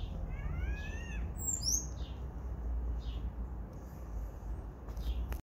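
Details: Great kiskadee giving a short run of rising, harmonic-rich call notes at the start, followed by sharp high chirps and scattered brief notes over a steady low rumbling background.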